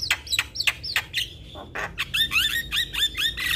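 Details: Young Asian pied starling in gacor singing mode: harsh broadband squawks and clicks, then a run of bright whistled notes with rising and falling slurs, repeated quickly toward the end.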